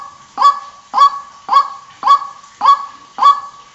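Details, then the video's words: A White-breasted Waterhen gives a harsh, nasal, honking note, repeated steadily almost twice a second, with no other sounds. "TIẾNG QUỐC KÊU"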